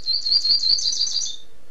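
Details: Rusty-collared seedeater from Niterói, Rio de Janeiro, singing: a brief, high, rapid twittering phrase of sweet, warbled notes lasting under two seconds, with a quiet background.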